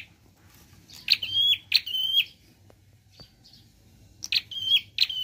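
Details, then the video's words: Prinia in energetic varied song: two clipped click-and-whistle phrases, a quiet pause, then two more. Each phrase is a hard tick sliding into a thin sustained high whistle. "Prenjak Klawu Gacor Variasi Nembak"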